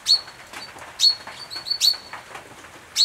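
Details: Eastern-subspecies brown treecreepers using a nest box, Capertee Valley, NSW, late August 2018; loud, piercing, high notes, each sliding slightly, spaced about a second apart with softer single notes between.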